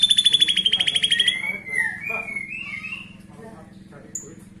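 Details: Female white-rumped shama calling, a lure sound used by breeders to bring a male into breeding condition; a fast run of sharp, evenly repeated high notes, then slurred rising and falling whistles, over a low electrical hum.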